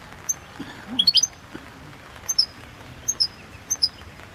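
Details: Goldfinch of the Balkan subspecies Carduelis carduelis balcanica recorded for a 2022 world song competition: a short tinkling burst, followed by sparse high thin chirps in pairs, faint low background hum.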